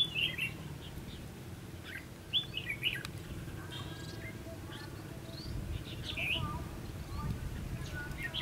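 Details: Red-whiskered bulbul song during fight-trapping to lure other birds. Scattered short whistled notes and warbled phrases sound at moderate distance over a steady low rumble, with a thump near the start.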